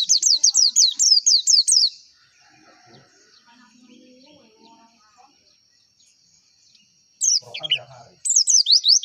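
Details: Pleci, a white-eye, in a lure recording meant to spur contest birds to open their beaks: bursts of fast, high, descending chirped notes, a long quiet gap with faint lower sounds, then renewed rapid chirping phrases.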